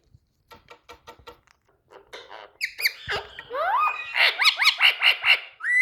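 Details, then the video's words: A pet Indian rose-ringed parakeet named Candy, said to love talking, chatters in short buzzy bursts that build into shrill rising whistles and squawks, with mimicked speech-like phrases. "Indian Parrot🥀Candy Love to Talk"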